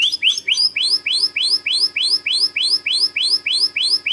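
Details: Shama master song, rough 'tembakan kasar' style, made to train competition birds: one sharply rising upslurred note repeated steadily about three times a second, with a faint low hum underneath.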